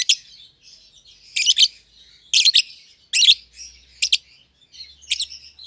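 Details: Caged young lovebirds, an albino and a euwing green opaline, paired after feeding each other; loud grating double chirps about once a second over faint continuous twittering.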